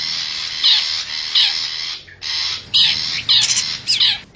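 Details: Wild forest long-tailed shrike used as a lure call for wild birds: harsh, raspy bursts with short downward whistled slurs, separated by brief pauses, a steady hiss beneath.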